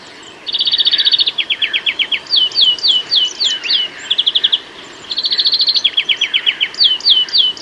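A European greenfinch sings rapid, bright trills alternating with runs of quick slurred tweets, the whole phrase repeating after about four seconds over a quiet background.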